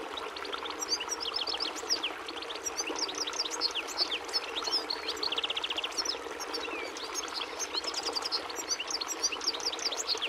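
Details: European goldfinch (Carduelis carduelis, Portuguese goldfinch) singing a rapid, tinkling twitter of high, sharp notes with short trills, almost continuous for ten seconds, over a steady rushing background noise like running water.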